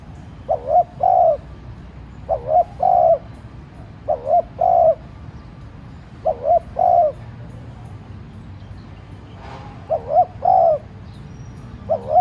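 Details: Decoy spotted dove calling to provoke rival doves: a steady series of six low coo phrases, each two short notes and a longer one, spaced about two seconds apart, with faint background chirping.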